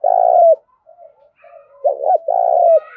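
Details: Loud-voiced spotted dove decoy in the Thổ Đồng song style: the tail of a long rolling coo slurring downward, a quiet pause with faint murmurs, then a fresh phrase of a quick wavering double note and a sustained throaty coo.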